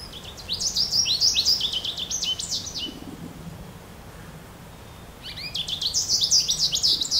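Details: Goldfinch calling in two bursts of rapid, tinkling, twittering notes high in pitch, separated by a quiet gap of about two seconds; faint low background hum.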